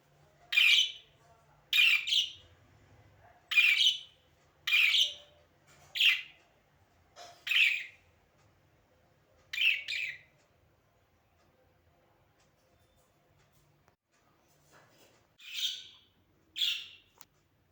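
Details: A pet budgerigar (parakeet) gives sharp, scratchy chirps in quick bursts, repeated roughly once a second with brief pauses.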